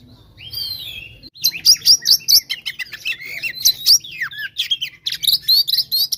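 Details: Oriental magpie-robin in loud 'gacor tarung konslet' fighting song, used to provoke rival males: a rising whistle opens, then rapid bursts of high, sharp chirps and slurred whistles tumble over each other with brief pauses.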